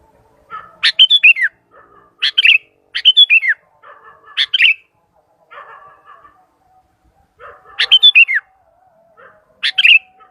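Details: Sooty-headed bulbul calling to other bulbuls: short bursts of sharp notes ending in bright whistled downslurred phrases, given in four main groups with quieter chatter between.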